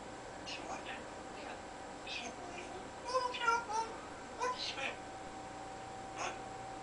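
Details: A pet parrot chattering to itself in a child's bedroom behind closed doors while the child sleeps, with faint, muffled speech-like syllables in short bursts, loudest in the middle, over a quiet room hum.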